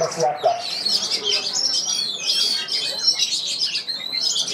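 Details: Oriental magpie-robin (kacer) singing at the Piala Candi Prambanan bird song contest: dense, overlapping high whistles, trills and fast sweeping phrases in a steady stream, with a low murmur of people talking beneath.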